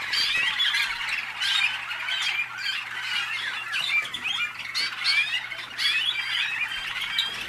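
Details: Waterslager or malinois canary from North Canton, Ohio, USA, singing a dense, unbroken run of rolling trills and gurgling warbles, steady in loudness with brief bursts of higher whistles.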